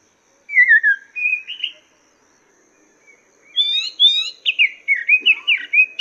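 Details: Chinese hwamei master song for cage birds. A couple of descending slurred whistles open, then after a silence a dense, rapid stream of bright, repeated whistled notes builds up.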